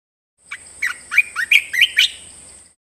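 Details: Caged bulbul song used for training birds: a short phrase of six bubbly, rising whistled notes, each quick and slurred upward, over a thin steady high whine.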